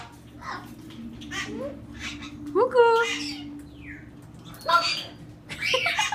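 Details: A captive male Hyacinth macaw at a parrot park in St-Placide, Quebec, gives odd, varied calls never heard from him before, possibly directed at a bird outside: squawks, rising whoops and talk-like warbles every second or so, over a low indoor hum.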